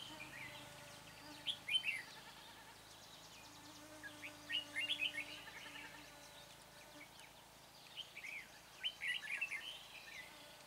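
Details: A red-whiskered bulbul used as a decoy to lure wild birds, Chua Huong trapping site, 24 March: brief twittering phrases of several sharp notes, repeated about every three seconds, with constant low background noise.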